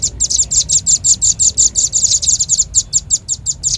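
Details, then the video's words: Velvet-fronted nuthatch (rambatan paruh merah) giving lure call: dense, rapid series of sharp, high, slightly buzzy chips, roughly five per second, steady throughout with no pauses. "Suara pikat burung rambatan paling ampuh | rambatan paruh merah"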